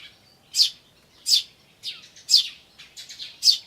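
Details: Tree sparrow chicks and adults calling in various ways, 10 May 2013: strong high chirps mixed with quicker, buzzier chattering notes between them.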